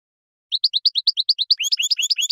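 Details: Wild European goldfinch in field song, recorded for educating caged birds: steady series of bright, high chirps about four per second, then a denser, richer twittering with lower, tinkling, overlapping notes. Quiet background.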